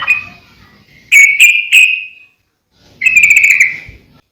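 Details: Yellow-vented bulbul song for training and luring birds: clear whistled notes with sharp, bright accents, delivered as two brief phrases separated by a pause.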